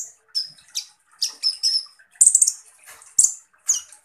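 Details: Van Hasselt's sunbird (East Javan name kolibri ninja) delivering harsh 'tembakan kasar' phrases: high thin notes and gritty buzzy rasps in short, spaced bursts.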